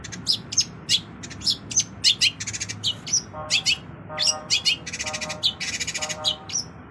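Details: Long-tailed shrike pouring out a varied isian filler song of fast chirps, trills and short whistles, with buzzy rattling stretches and lower tonal phrases mixed in.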